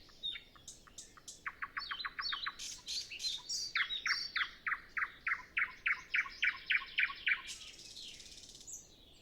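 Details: A Common nightingale sings in the early morning before sunrise, windless, with other birds not yet singing: a quick run of repeated notes, scratchy high flourishes, then a long, loud series of full notes about four per second.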